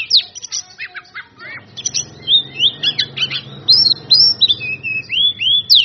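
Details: Oriental magpie-robin in loud ngeplong song meant to provoke rivals: an opening burst of sharp chirps, a brief softer pause over a faint low hum, then a stream of clear, fluty whistled notes, many of them upslurred.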